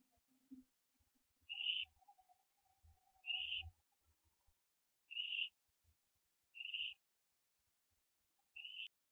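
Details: Barn owl owlet at a nest filmed live at 4:07 AM on 15 September 2011, around the time of branching. Short hissing, rasping bursts repeat about every two seconds, five in a row, over a faint low hum and occasional soft thumps.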